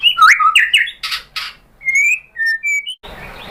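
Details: White-rumped shama singing as bait for a caged shama to answer: quick tumbling whistled notes and rasping bursts, followed by pure drawn-out whistles at differing pitches, ending in a hiss of noise.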